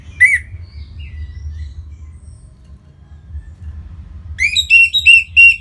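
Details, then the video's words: Orange-headed thrush song, used in Singaraja, Bali, to make other birds sing: a single sharp chirp and soft notes, then a fast series of bright, scratchy, repeated notes near the end, over a low hum. "Punglor Merah Lagi Berkicau.. Untuk Pancingan Bunyi"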